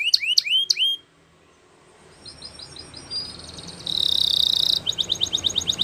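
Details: Spanish Timbrado canary training song: three sharp hooked notes, a quiet gap with faint distant chirping, then a dense buzzing roll followed by crisp, evenly spaced clicking notes.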